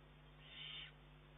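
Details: Young Eurasian eagle-owl begging from its mother on 19 June 2011: a single drawn-out, breathy hissing screech of under half a second, swelling and fading against a constant low electrical hum.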